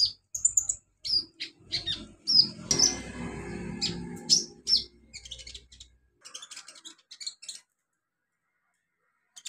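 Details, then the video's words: In its natural wild habitat, an olive-backed sunbird gives sharp high chips and bright downslurred notes, then softer, thinner twitters that fade out toward the end, with a brief low rumble midway. "kicau KONIN alam liar habitat aslinya"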